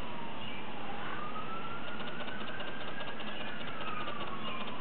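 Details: A slow wailing siren rises and falls over steady low traffic and engine rumble, with no animal voice heard.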